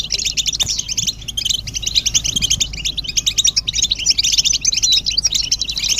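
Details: European goldfinches calling together in a stimulating chorus of mating and readiness calls for males: busy, high-pitched twittering in quick bursts, overlapping chips and short trills running throughout, with a faint background hum.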